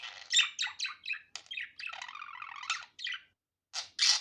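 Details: Budgerigar's natural voice, unedited: descending squawky chirps, a stretch of buzzy chatter, then a short silence before two loud harsh squawks.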